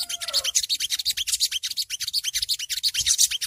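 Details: Long-tailed Shrike ngriwik call for beginner tutoring: rapid, rasping high notes repeated nearly three times a second in an unbroken scratchy series, a faint lower whistle at the start.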